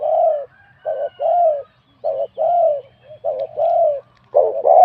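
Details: Competition spotted dove, wild bird of mid-to-large voice style awarded 87 points, delivering steady paired coos: a brief note then a longer mellow descending coo, about once a second.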